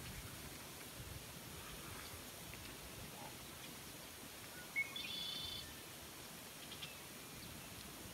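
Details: A Red-winged Blackbird, tentatively identified, gives one brief song during a July sailing camp trip in the Florida Keys: a short clipped note, then a buzzy, rasping trill under a second, over steady wind and water rush.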